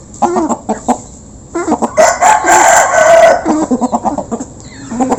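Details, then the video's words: Local chickens, a flock being fed and recorded up close, give dense overlapping clucks and short nasal calls in quick bursts, with one louder drawn-out squawk in the middle and more clucking after. "Local Chicken Backsound While Eating | Efek Suara Gerombolan Ayam Saat Dikasih Makan"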